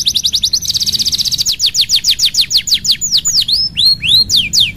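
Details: Canary song meant to coax silent canaries into singing: a very rapid, buzzy trill at first, slowing into a series of crisp descending whistles, then looping rising notes at the end.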